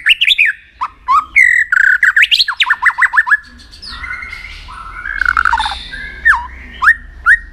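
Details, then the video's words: White-rumped shama being trained to sing for contests: quick varied whistles and a fast run of repeated slurred notes, then a quieter warbled passage and three sharp separated upswept notes. "luyện giọng chòe lửa hót kích chòe lửa nhanh căng lửa"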